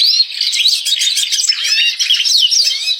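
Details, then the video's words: Red siskin singing energetically: a fast, continuous twittering warble of high, buzzy notes and quick trills, with no other sounds noticeable. "Burung Red Siskin Gacor"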